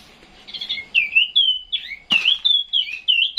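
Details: At 2 a.m. a caged Chinese hwamei, soon to travel to Vũng Tàu, delivers fluty whistled phrases with slurred up-and-down notes, preceded by a low hum and broken once by a sharp click.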